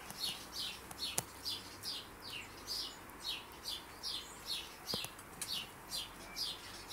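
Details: Rescued baby sparrow communicating with the girl who rescued it: high, sharp chirps repeated about twice per second in a steady series, with a couple of brief clicks and a low background hiss.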